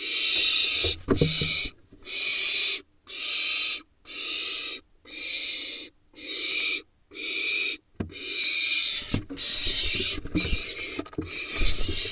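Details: A Barn Owl nestling in a nest box in Israel's Hula Valley, in a late-laid brood hatched from June 2021, gives harsh, hissing snores about once a second, begging as its father brings a vole.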